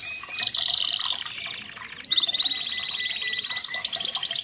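A red canary sings fast rolling trills and chattering phrases, high and bright, with a brief pause before a long buzzy roll resumes.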